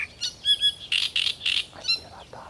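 Great reed warbler song: a few thin, clear notes, then three loud, grating croaks in quick succession, followed by further chattering notes.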